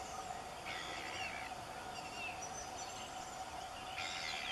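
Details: A Variable oystercatcher on a beach at Waiheke, New Zealand, gives harsh, high piping calls in two short bursts, over a steady wash of surf or wind.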